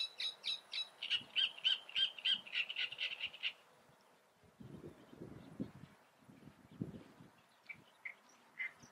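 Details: Great reed warbler in the Eifel: a rapid rattling series of harsh, buzzy notes for about three seconds, then low rumbling noise with a few scattered softer notes.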